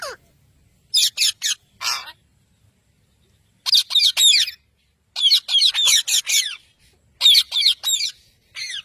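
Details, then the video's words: Pet parrot from a talking parrots compilation, giving rapid runs of short, rasping squawks in bursts of three to five, separated by brief pauses. "Talking Parrots"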